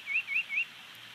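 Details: Bald eagle at a Big Bear Lake nest on an April 2019 morning, an adult male finishing a long feeding of two chicks; three high, thin whistled chirps, each sliding upward, spaced about a quarter second apart over a quiet background.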